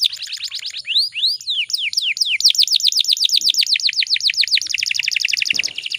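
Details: Canary, a female in breeding condition meant to make males sing; slow looping sweeps speed up into a dense run of rapid repeated notes, about four per second at first, then a fast high roll.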